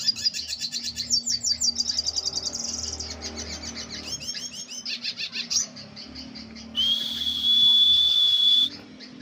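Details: Northern cardinal, called red bird, singing: a rapid run of high chirping notes, then a series of downward-slurred whistles, ending in a long steady high whistle; faint low rumble underneath.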